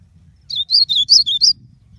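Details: Blue-black grosbeak singing a brisk phrase of six chirpy, down-slurred high notes in about one second, with a quiet low hum underneath.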